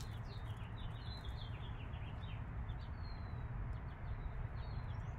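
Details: Peeping from 5-day-old chicks kept with their mother hen, with high falling notes given almost continuously and a few longer level whistles, and a deep steady hum below.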